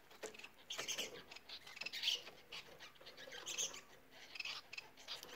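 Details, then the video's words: Several Bengalese finches (society finches) sing together: soft, scratchy chattering notes with high buzzy bursts in quick, irregular, overlapping runs at low volume. "Bengal ispinozu ötüşü Bengalese Finches society singing , Bengalese Finches singen"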